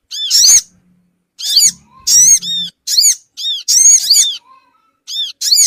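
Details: Sogon bird calls used as a lure to bring small birds together: loud, squealing arched notes in bursts of one to three, roughly every second, with a low hum in between.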